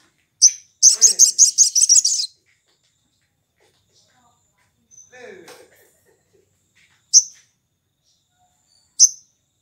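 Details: Morning lure song of the sogon, or sooty-headed bulbul, meant to make other birds join in: a sharp high chip, then a rapid buzzy high trill of about ten pulses, a faint scratchy sound, and two more spaced sharp chips.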